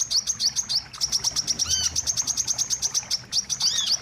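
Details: Bird-trapping lure of wiceh calls: rhythmic rapid high tweets with brief pauses, plus one soft arched note midway and a twittering flourish at the end.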